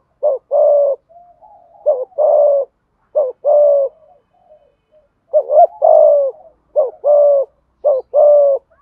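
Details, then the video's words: Prompting coos of a spotted dove, used to push a wild bird to coo quickly: a brisk series of six phrases pairing a brief warbled note with a longer hollow coo, repeating about every 1.3 seconds. "cu gáy thúc gù bài bản bổi nghe ức chế với giọng này, cu gay kich boi nhanh noi gù"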